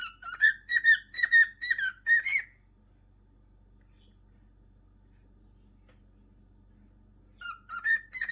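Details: Whistling from a pet cockatiel: a rapid string of ringing whistled notes for two seconds, then near silence with low background hum, before the bird resumes with rising whistled notes at the end.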